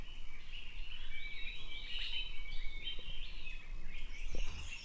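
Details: Siberian blue robin near Vahrit, Khuangthli and Reiek in Mizoram, singing a dense, twittering run of high warbled and slurred notes that rise and fall without pause against steady outdoor noise.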